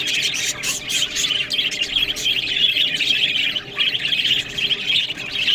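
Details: Budgerigars chattering as they eat green food, a dense run of scratchy warbles and quick chirps with a brief dip in volume near the middle.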